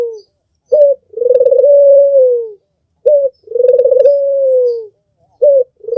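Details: Albino Barbary dove with red eyes cooing steadily. A short accented note is followed by a sustained, throaty, fluttering purr that eases downward, repeated about every two and a half seconds.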